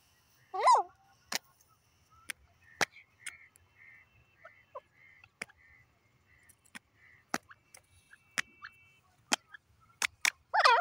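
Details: Grey francolin (teetar) calling: loud, harsh, sweeping harmonic notes open and close the passage, separated by sharp dry clicks and taps and a run of soft short tonal notes in between.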